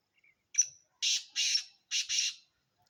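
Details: Black francolin giving its rasping call: a short clipped first note and then two harsh double notes in quick rhythm, clear against a silent background.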